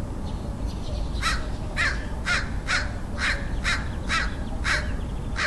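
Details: Crow from San Diego, California, USA, 27 February 2009, delivering a steady series of about nine grating caws, roughly two per second, over a soft low-frequency rumble.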